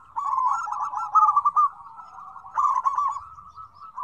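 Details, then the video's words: Busy zebra dove calling, combined to draw out doves that seldom call. A burst of quick, trilled coos comes first, then a lull, then a second rolling phrase before fading. "PERKUTUT RIBUT RAME SUARA KOMBINASI BAGUS BUAT PANCINGAN YG SUSAH BUNYI"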